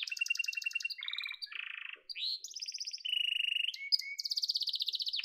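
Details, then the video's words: Yellow domestic canary singing varied tours: fast high trills, a low buzzy roll, rising slurs and a closing bright rapid trill. "Muhteşem Kanarya Sesi: Sarı Kanarya'nın Efsanevi Ötüşü"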